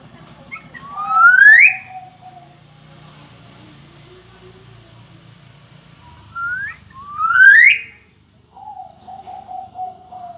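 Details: Black-naped oriole singing actively: two loud upward-sweeping whistles, each followed by a long, level, lower fluty note, repeating about six seconds apart, with a faint low hum underneath.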